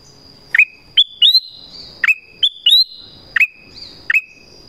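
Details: Black-crested bulbul giving calls to draw in wild birds: a string of clear whistles, each dipping then levelling or rising briefly, about eight notes in under five seconds over a steady thin high tone.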